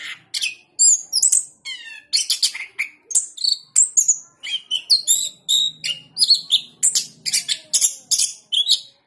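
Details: Nonstop 'gacor ngeplong' singing by a caged orange-headed thrush that won the president's cup in Jogja: about two dozen crisp high phrases, including a quick descending series of notes, packed tightly and evenly through the passage.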